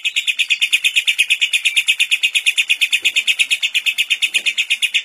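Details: Lovebird in full ngekek with kapas tembak fill, a recording for training lovebirds: very fast, machine-like run of shrill chattering pulses, roughly six per second, strikingly even for five seconds.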